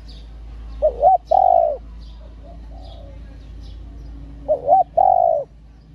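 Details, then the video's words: Female spotted dove call used to stimulate male doves: the same phrase given twice about 3.7 seconds apart, two quick wavering notes then a drawn-out even coo, with soft faint coos and high chirps between. "CU MÁI.MÁI KÍCH TRỐNG.Tiếng cu gáy mái kích mồi tập bổi"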